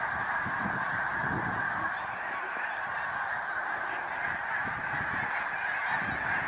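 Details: Spring-migrating Snow Geese in large flocks on Cayuga Lake, New York, March 2021: a dense chorus of yelping honks, some single calls rising above the mass, with soft low rumbles underneath.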